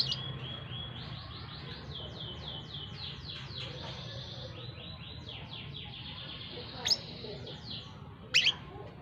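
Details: Brown-throated sunbird trained by a busy road amid passing crowds; a long string of rapid, high, rising-and-falling notes, followed by two sharp loud chirps near the end, with faint low background hum.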